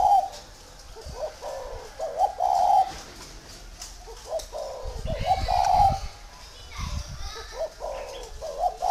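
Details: Large tamed spotted dove in Vân Hòa commune, Ba Vì, Vietnam, cooing in repeated rough phrases with a stressed final note. Low thumps and rustling come midway.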